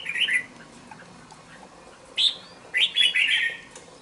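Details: Caged two-month-old red-whiskered bulbul in a bổi cage gives a brief warble. After a pause of nearly two seconds, a rising whistled note leads into a rapid run of tumbling chirps.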